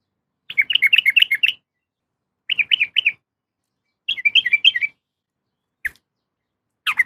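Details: Calling a male, a female yellow-vented bulbul gives three separate bursts of fast, bubbly chattering notes, then two lone sharp chirps.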